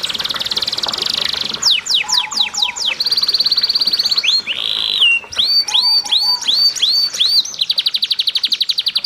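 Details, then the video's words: Canary song with a flowing-water background, played to stir other canaries into song: dense buzzy trill, descending sweeps, a slurred whistle, arched repeated notes, ending in a fast even trill. "MASTERAN Kenari GACOR CENGKOK MERDU Di Sertai GEMERICIK AIR Cocok Buat TERAPI PANCINGAN RAJIN BUNYI"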